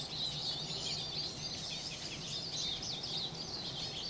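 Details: Flock of Eurasian siskins in winter, descending one after another to bathe in water, keeping up dense, unbroken chatter of thin, high overlapping twittering calls over a low steady rush of background noise.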